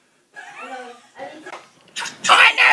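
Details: A pet miniature macaw gives two short bursts of throaty, speech-like chatter, which its owner jokingly reads as lottery numbers, then ends with loud, harsh, raspy squawks, recorded close-up in a small room.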